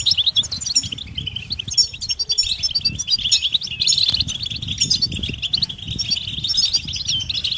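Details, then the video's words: European goldfinches in a steady stream of high, tinkling mating and readiness calls, many short chirps overlapping, with low fluttering and rumble beneath. "بتبتة الحسون علاج سكوت الحسون نذاءات التزاوج والتجهيز"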